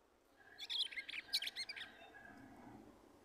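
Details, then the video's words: One-year-two-month-old female red-cowled cardinal, which has been sitting in the nest and pulling straw, gives a brief burst of bright, quick, high chirping song notes lasting about a second and a half. "GALO DE CAMPINA FÊMEA CANTANDO"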